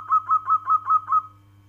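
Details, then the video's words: Six clear, mellow coo notes from a local zebra dove, spaced evenly about every fifth of a second, the last fading into a quiet tail; low steady hum behind. "Suara panggilan perkutut lokal alam kristal"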